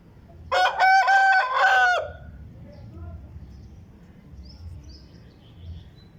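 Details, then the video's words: Aseel rooster crowing: a single loud harmonic crow of about a second and a half, slightly rising then falling, followed by quiet background noise. "Aseel Rooster Crowing | Aseel Murghay ki Azaan | Murghay ki Awaz"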